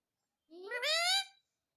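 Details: Pet parrot indoors mimicking the word "mummy": a single rising, harmonic-rich voiced utterance lasting under a second, with a quiet room and no other sounds.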